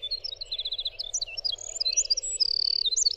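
A winter wren pours out a rapid, high tumbling song of crisp repeated notes and fast trills, with a steady low hum beneath.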